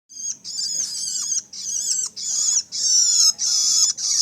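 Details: Young long-tailed shrike: harsh, raspy high-pitched calls in bursts of about a second, repeated with short gaps, each a buzzy band with downward-sliding tones underneath.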